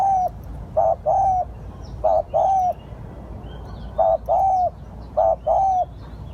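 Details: Decoy call of a spotted dove used to lure: soft low cooing in phrases of a brief note, a clipped double note and a longer slightly falling coo, repeated about every two seconds, with faint background hum.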